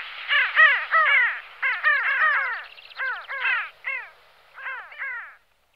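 Pin-tailed sandgrouse giving harsh, nasal, crow-like notes in quick overlapping bursts, apparently several birds calling together for about five seconds.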